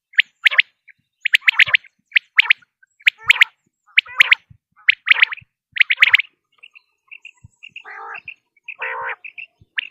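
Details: Quail call played to lure birds for hunting in Pakistan: quick clipped multi-note bursts repeated roughly every second for six seconds, followed by softer short chirps and two harsh buzzy bursts.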